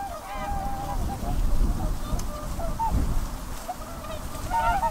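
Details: Whooper swan flock calling: repeated short trumpeting honks, some rising at the end, overlapping from several birds, set against loud low-frequency background rumble.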